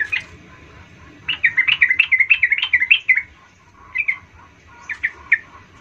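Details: Sooty-headed bulbul song meant to provoke other birds, a quick burst of chattering, bubbly notes in the middle, followed by short scattered phrases over a steady low background hiss.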